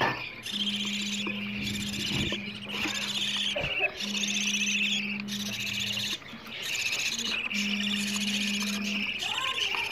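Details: Budgerigar chicks calling for food, a playback meant to push adult budgies toward mating and rearing more young. Rasping high chatter in long buzzy phrases broken by short silences, with a low droning hum on and off.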